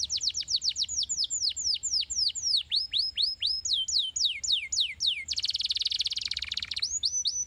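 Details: Canary song played to stimulate canaries to sing: a fast series of steep, repeated down-slurred whistled notes in quick succession, then a dense buzzy trill near the end and a few more high slurred notes, clean with no other sounds.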